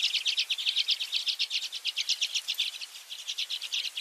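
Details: Newly hatched redpoll chicks giving a rapid, continuous stream of high thin pulsed chirps, about two or three per second, rising and falling in loudness, with a quiet background.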